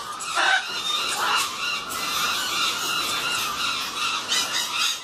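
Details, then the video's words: A pair of captive Goffin's cockatoos in Aurangabad, Maharashtra, giving harsh, rasping squawks and screeches that overlap continuously, with bursts louder around the first half-second and near the end. "My Goffin Cockatoo pair"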